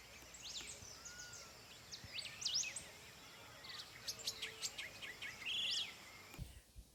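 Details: A Red-crested Cardinal during the spring nesting season gives a bright, melodious song of quick whistled and chirped notes, some sliding up or down, with several other chirping birds and a soft background hiss.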